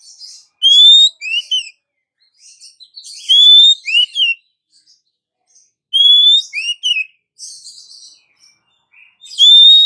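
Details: Female Oriental magpie-robin calling the male: loud, rising whistles each followed by a quick pair of curved notes and thin twittering, in phrases repeated about every two and a half seconds.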